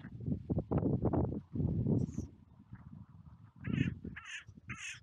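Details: Carrion crows gathering on a seafront clifftop to be fed, giving hoarse, harsh caws in short bursts toward the end, over heavy low wind rumble and some other bird calls.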